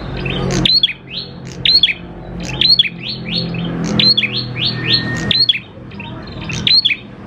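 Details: Grey prinia (prenjak klawu), a steadily singing lure bird for provoking other prinias into song: rapid series of rising, buzzy upslurred notes with sharp ticks, in bursts every second or so, over a low humming background.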